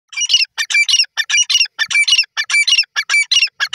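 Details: Grey francolin, known locally as dakhni teetar, giving loud, harsh, squawky notes in a fast, fairly even series, roughly a dozen bursts in under four seconds, each with a thin high overtone; no other sounds stand out.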